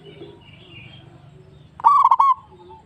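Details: Local zebra dove singing as a lure to stir other doves: after a low hum, one loud, rich, quavering cooed phrase of several quick pulses ending in a held note, then a soft faint coo.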